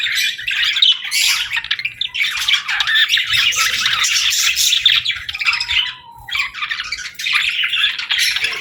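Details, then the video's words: Several pet budgerigars in busy chirping bursts of high warbled twitters and scratchy squawks, breaking into brief lulls about every two seconds, with one near-silent gap near the end before the chatter resumes. "Bird Chirping Sound 🐦🎶 | Cute Pet Birds"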